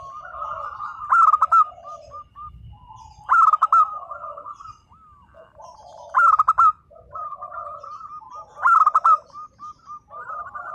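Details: Active local zebra dove, song played to make mute doves respond: four loud bursts of fast, stuttering coos about every two and a half seconds, between softer rolling coos from other doves.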